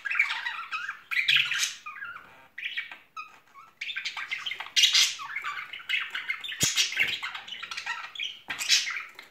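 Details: Two pet budgerigars, a loving pair in spring, trade raspy squawks and tumbling twittered warbles, with a short silence partway through.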